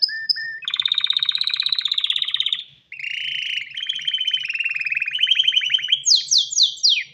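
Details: Male canary calling a female for mating, singing a rich varied song: short whistles, a harsh buzzy rattle, a rolling trill rising in loudness, then high descending swept notes.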